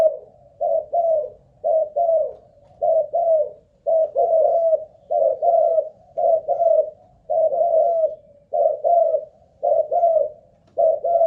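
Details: Spotted dove used as a ground decoy, cooing on and on during a stamina trial: about ten paired, throaty coos in quick succession, each pair followed by a brief gap.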